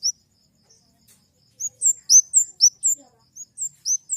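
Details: High-pitched flowerpecker (kemade) song: one early chirp, then a lively series of thin, upward-curling notes switching between a lower and a higher pitch, roughly four each second.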